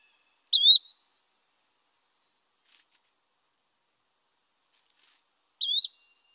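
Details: Yellow-bellied Flycatcher giving its whistly song type: two short, high, whistled notes that slur up and then down, about five seconds apart, with silence between them.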